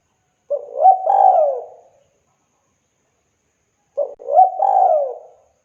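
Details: Local spotted dove from Indonesia, played to train young doves: two identical cooing phrases about three seconds apart, each a brief low opening note then a drawn-out, softly descending rolled coo, in silence.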